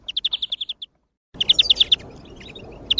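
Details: European greenfinch song, used as a lure to spur on other birds: a rapid trilled run of about nine bright notes, a brief break, then another fast trill with faint twitters behind.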